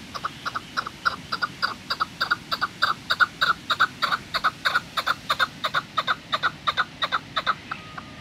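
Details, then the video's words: Long run of rhythmic clucking chuk notes from a chukar at Kachai Gulistan, 21 April 2020, about three per second, steady and loud throughout before trailing off near the end. "CHAKOR AWAZ"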